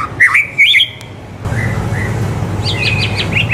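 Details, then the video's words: Caged white-rumped shama, singing loudly, used as a tutor song for young shamas: clear whistled notes near the start, then a soft pause and a run of quick, repeated, rising chirps, over a steady low hum. "MURAI BATU GACOR COCOK BUAT MASTERAN MURAI BATU MUDA AGAR CEPAT IKUT GACOR DAN MONCER"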